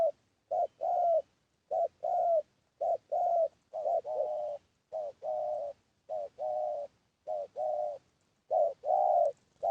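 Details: Spotted dove calling as a lure for wild doves: a long run of hollow, slightly throaty coo pairs, a brief note then a held one, repeated regularly for ten seconds on a quiet background.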